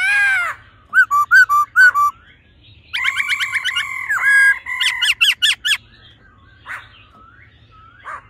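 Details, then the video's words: Female laughingthrush ro calls mixed with male song in the old-forest voice style, meant to stimulate males: short looping whistles, a stretch of buzzy stuttered notes, then rapid sharp repeated chips and pauses. "khướu mái ro +trống hót giọng già rừng.kích trống nhanh căng lửa"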